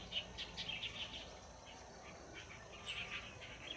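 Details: Noisy flock of light-vented bulbuls at a waterway, coming down to drink and bathe, recorded 7 March 2024; busy overlapping chirps and short squeaky notes, rapid and irregular, with a steady background hiss.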